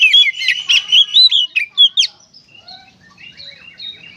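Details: Kacer, the Oriental magpie-robin, in energetic 'gacor konslet' song used to stimulate other birds to sing: two seconds of loud, clipped whistles and slurred notes, then scattered quieter chirps and twittering.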